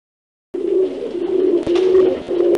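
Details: Turtle dove giving a low, purring coo: a steady humming tone held for about two seconds with a couple of brief breaks, recorded indoors.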